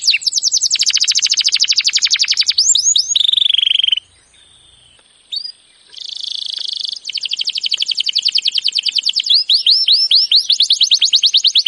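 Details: Canary master song meant to trigger a silent canary into singing: long rapid rattling trills, a brief pause, then more buzzy trills and repeated rising whistled notes.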